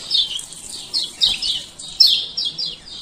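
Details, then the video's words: Male lemon-bellied white-eye of Lombok giving a handful of clear, downslurred high chirps, part of 'ciak ciak' lure calls meant to restart singing in silent birds. "Pancingan Kecial Kuning Malas Buka Paruh"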